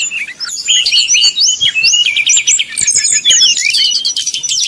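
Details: Brown-chested jungle flycatcher fluting song, used as a lure to heat up rivals and get them singing: fast varied whistled notes, rising slurs and rapid trilled bursts, continuous and high-pitched throughout.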